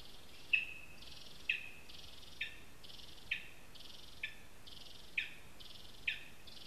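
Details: Live nest camera in a spruce in Zemgale, Latvia: a lesser spotted eagle calls seven crisp, high yelping notes about once a second, each with a sliding tail and buzzy overtones, against quiet background noise.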